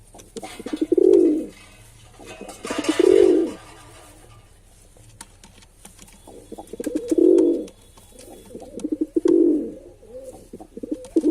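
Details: A male pigeon gives low, throaty coos, two close together near the start, then a pause and three more at roughly two-second spacing, with soft muttering notes and light clicks in between.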